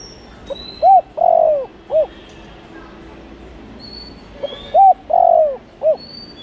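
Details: Lure calling of a spotted dove meant to draw in wild doves. Two soft cooing phrases, each a quick pickup, rounded coo, long sliding coo and clipped final note, separated by a pause of about three seconds. Thin high whistles from other birds are faint behind.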